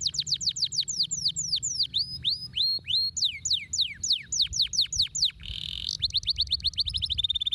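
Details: Canary song played to stimulate lazy canaries to sing: rapid series of clear descending whistled sweeps, about three per second, shifting into faster rising notes and a buzzy trill near the end.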